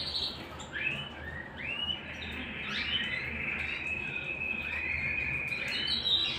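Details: Softer canary song at home, built from separate rising, upslurred whistles that flow into a long, level sustained tone near the close, with a faint hum underneath.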